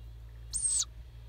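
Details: Wild owlets calling in Japan, perched and drowsy, eyes closing as they grow used to people; one short hissing, high screechy call lasting about a third of a second over a steady low hum.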